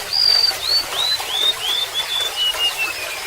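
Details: A single complete song of a golden-bellied gerygone: roughly nine high, sweet whistled notes, each slightly lower than the last, drifting down the scale, over a soft wash of running water.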